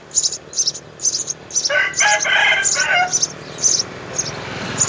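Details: Three young house sparrows begging at the nest as both parents feed them; short high, hissy chirps repeat about twice a second, with a lower harmonic crowing-like call from a rooster in the middle.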